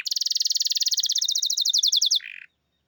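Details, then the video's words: Champion canary delivering a long, even rolling trill of about fifteen notes per second, ending in a short lower buzzy note before falling silent. "Burung Canary Juara Top"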